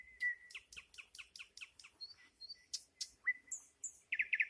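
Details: Singing nightingale: a drawn-out whistle, then a fast run of sharp clipped notes, two sustained high tones, loud accented strokes and a closing throbbing trill.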